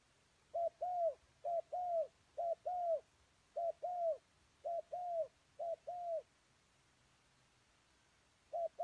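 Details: Spotted dove decoy calling to lure wild doves: paired soft coos, a short note then a longer one, repeated about every second over several seconds before a pause, in quiet surroundings.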